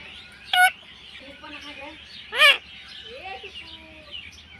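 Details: A pet rose-ringed (Indian ringneck) parakeet gives two loud, harsh squawks about two seconds apart, with softer, warbling speech-like phrases in between.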